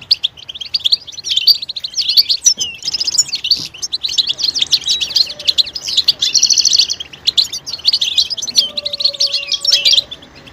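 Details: Calls of a European goldfinch, meant to spur males out of silence and into song: dense, continuous liquid twittering with buzzy trills, plus a faint low steady tone near the end.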